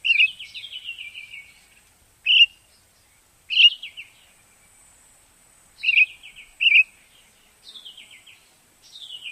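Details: Common starling singing: bright whistled notes and slurred descending trills, with short sharp chirps repeated in bursts separated by brief pauses, clean with no other sounds.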